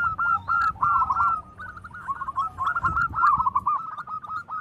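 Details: Loud local zebra doves, males and females responding to each other: tumbling series of short, rapid coo notes in several rolling phrases, louder at the start and end, with low background rumble.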